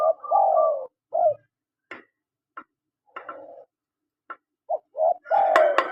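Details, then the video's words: Male and female spotted doves: a long falling coo and a short coo open the recording, followed by scattered clicks and a softer coo. Further coos close it, overlaid by sharp tapping sounds. "SUARA PANGGILAN TEKUKUR JANTAN DAN TEKUKUR BETINA"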